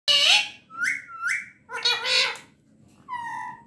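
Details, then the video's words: Talking pet parrot: loud, raspy, harmonic speech-like syllables, then two rising whistled notes, a burst of squawky voiced chatter and a final clear, steady whistled tone. "mera pyara tota"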